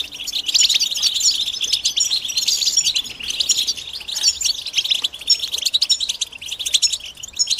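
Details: European goldfinches calling together in mating and readiness calls meant to rouse males into song; dense high twittering chatter of many overlapping bright chirps and trills, almost continuous with brief lulls.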